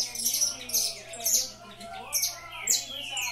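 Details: Saffron finch from a breeding aviary singing in the figurando style: clusters of sharp, very high chirps and short sweeping notes in uneven bursts, with faint lower murmuring voices underneath.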